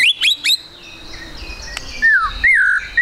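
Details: White-rumped shama song, used as a lure to get other shamas singing quickly: short upward-flicking whistles, then sweeping notes that bend down and up, with a steady faint high tone underneath.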